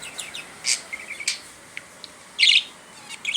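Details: Brief budgerigar talking: a few thin chirps and warbled notes, then one loud harsh squawk near the end, over a faint hiss.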